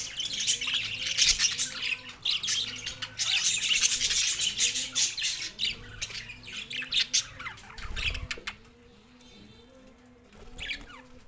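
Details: Two pet male budgerigars chirping together in continuous, busy warbled chatter of squeaky notes and rasps, with a soft low cooing repeated steadily beneath throughout.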